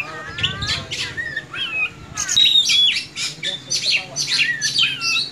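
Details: White-rumped shama in fast, agitated song: rapid rising and falling whistles mixed with harsh squawks and a few pure high notes, over low background hum.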